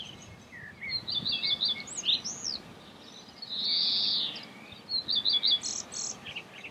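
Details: Common redstart, subspecies Phoenicurus p. phoenicurus, singing in May 2016 at Escherange, France. It gives a varied run of high twittering phrases, fast chattering trills and a drawn-out buzzy note, with faint background hiss.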